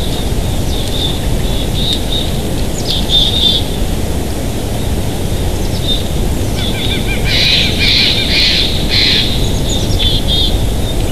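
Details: Bald eagles at their nest in Big Bear Valley, filmed by a live nature cam on 7 March 2023 around 11:33, giving thin, high chittering calls in scattered bursts, strongest near the end, under heavy rumbling wind.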